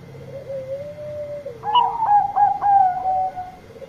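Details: Bangkok zebra dove singing loudly to call companions: a long, gently wavering low coo trill leads into a quick series of four bright clipped coos and a trailing note, thin electrical whine behind.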